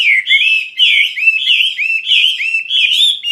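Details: Loud 'gacor' song of a Chinese hwamei: a steady stream of clear, slurred whistles, each note swooping up then down, delivered without pause.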